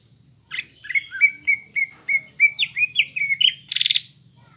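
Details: Caged greater green leafbird lure song meant to make birds emotional and fight-ready: a steady series of about eleven whistled slurred notes, some rising, ending in a harsh rapid rattling burst.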